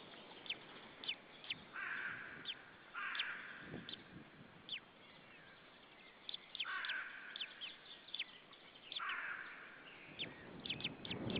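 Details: Nesting male white-tailed eagle in Saunja, Estonia, calling at an arriving second eagle before flying off, 26 April 2013 around 19:06. Four rasping, yelping bursts spaced a few seconds apart among ticking and low rustles.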